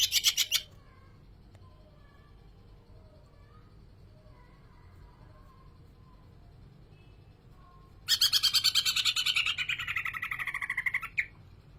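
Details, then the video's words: Greater green leafbird: a brief rich burst at the start, a long near-silent stretch with faint soft notes, then three seconds of loud, rapidly pulsed song gliding downward in pitch. "cucak ijo gacor"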